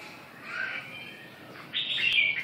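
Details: Red-whiskered bulbul: soft slurred notes at first, then a louder, sharp, bright whistled burst near the end, with a steady murmur of background noise throughout.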